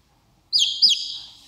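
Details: Domestic chicks, young birds resting in a hand and crying after hearing their mother: two high, sharp descending peeps in quick succession, then a fading tail, with faint low handling noise beneath.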